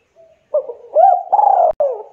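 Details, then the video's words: Spotted dove, used as a lure for local doves, cooing a short phrase of a faint opening note, then rising, rounded and drawn-out hollow coos that run almost without pause. "MASTERAN SUARA TEKUKUR DERKUKU DERUK GACOR"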